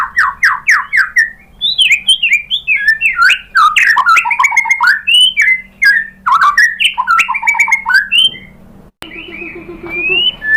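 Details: White-rumped shama (murai batu) lure song, meant to provoke a caged shama into answering: a dense, rapid stream of varied whistled phrases with sharp clicks and rising and falling notes, briefly pausing near the end before resuming.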